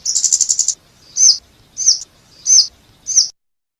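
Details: A scarlet-backed flowerpecker gives a quick high rattling trill, then four evenly spaced sharp downslurred tsip notes roughly every two-thirds of a second, very thin and piercing.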